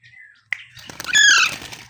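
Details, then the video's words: Baby Alexandrine parakeet giving a harsh, buzzy squawk with stacked overtones that swells for about half a second, after a sharp click and a soft faint whistle, over low background hum. "cute baby Alexander parrot 🦜❤ parrot natural sound"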